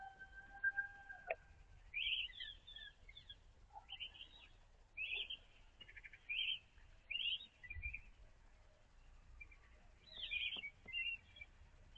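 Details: Early-morning European robin song, a run of rapid high chirping phrases, each under half a second, repeated with brief pauses over several seconds, faint whistled tones at the start and soft low noise beneath.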